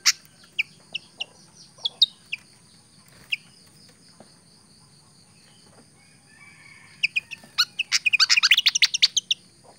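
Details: Pied fantail giving sharp, high squeaky chips at irregular gaps, then a fast, dense burst of scratchy high notes toward the end; a steady high whine and a faint low hum run throughout.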